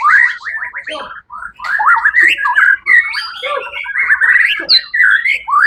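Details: White-rumped shama, a competition bird that took first place at a songbird contest on 1 October 2023, sings a loud, fast, varied song of rich whistled phrases and chattering notes, with brief pauses and a few sharp rising whistles.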